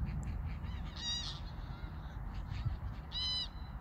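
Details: Geese passing overhead during migration at Koedijk, Langedijk, Netherlands, evening of 21 August 2019; two bright, ringing honks about two seconds apart, with persistent low wind noise beneath.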